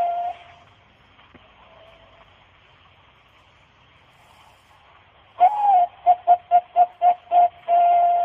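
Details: Famous zebra dove of Indonesia's 2008 and 2009 seasons, ringed in Thailand. A fading held note is followed by several seconds of near silence. Then one clear phrase plays: a swooping first coo, six quick soft pulses, and a drawn-out final note.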